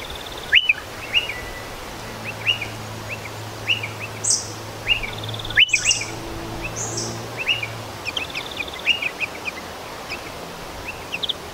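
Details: Striated pardalote pair nesting in a stone wall under a shed, calling during courtship and nest building; short rising two-part chirps scattered through the clip, with higher thin notes and two sharp clicks.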